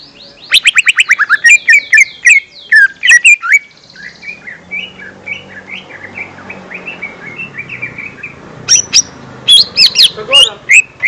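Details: Song of a lesser green leafbird, played to lure young birds. Rapid buzzy trills and slurred chirps give way to a softer, rambling warble. Loud sharp chirps and whistles come back near the end.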